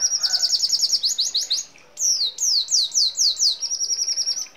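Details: Continuous, rolling red siskin song used to train songbirds, with sparrow, hummingbird and canary phrases. Fast high trills of sliding notes, a brief pause, then a burst of downward-sweeping whistles and an even, buzzy trill.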